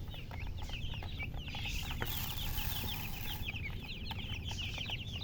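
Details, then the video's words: Chicks peep in a busy overlapping chorus of high, short chirps, briefly masked midway by a loud rushing noise burst, with a low hum throughout. "MURGI Baby "Chicks Chirping" Sound"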